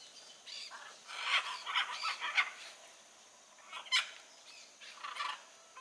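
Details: In nature, blue-and-yellow macaws produce a chattering series of coarse squawks, then a single sharp screech and fainter rasps.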